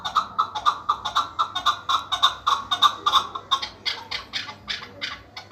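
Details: Chukar partridge offered for sale, calling in a rapid run of short, harsh, clucking notes, about four per second, with bright overtones. The calls hold steady, then grow louder and more spaced toward the end.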